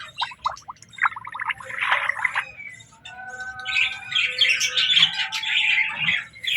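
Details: Pet budgerigars chirping during feeding time: scattered short ticks and quick rising chirps at first, then a steady overlapping chatter of warbles and squeaks from several birds building through the second half.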